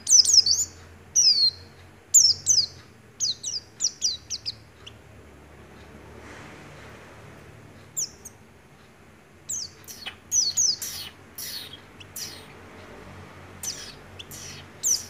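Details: Oriental white-eye song in the 'nagen ngecrok' style with white-rumped shama imitation: bursts of sharp, high, downslurred chirps come in groups, broken by a quiet stretch midway.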